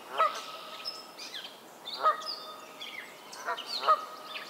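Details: Canada geese at a Maynard, Massachusetts swamp in early May 2024 give three loud, nasal, two-part honks spaced about two seconds apart, while smaller birds chirp and whistle steadily in the background.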